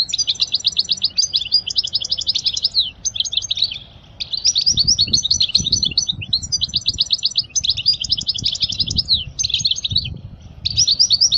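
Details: European goldfinch song used for teaching young goldfinches: rapid, high twittering phrases of tinkling, buzzy notes run almost without pause, with one short break near four seconds and faint low rumbling beneath.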